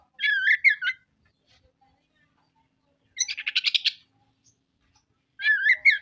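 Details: Kacer, or oriental magpie-robin, singing in bursts: a varied phrase of whistled and chattering notes, a rapid buzzy rattling burst after a pause, then another whistled chattering phrase.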